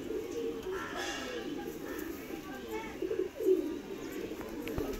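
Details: Madrasi pigeons, a domestic breed, cooing in low, overlapping rolling phrases that run almost without pause, with a brief faint human voice and light background noise.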